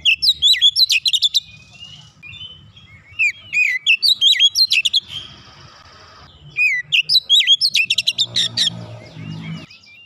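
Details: Young kacer, the Oriental magpie-robin, delivering a 'nembak rapat' song to spur singing: four vigorous bursts of looping whistles and fast chattering ticks over ten seconds, with a brief hiss and low background rumble between them.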